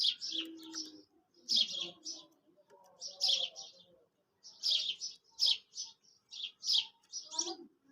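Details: A quail call used for hunting gives quick clusters of two or three sharp, high, slightly rasping notes about every second, with faint low murmurs underneath.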